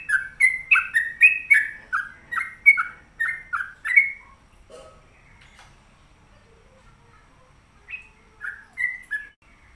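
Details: Energetic song of a trucuk, the sooty-headed bulbul: a fast four-second burst of loud, liquid alternating whistles, a quiet gap with a few soft notes, then a shorter closing phrase.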